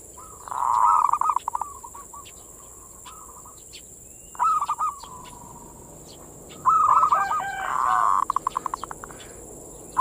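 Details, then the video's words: Zebra dove manggung song used as a lure to excite local doves' breeding drive: purring coos and quick stuttering note series, a long quiet gap, then renewed rolling phrases; a steady high-pitched hum runs underneath. "the sound of the turtle dove is a mental lure,suara perkutut pancingan mental birahi"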